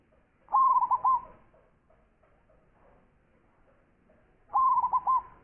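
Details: Zebra dove, a champion-class local bird with a big voice, gives two loud cooing phrases four seconds apart, each a rapid stutter of four or five hollow notes, with faint soft sounds between.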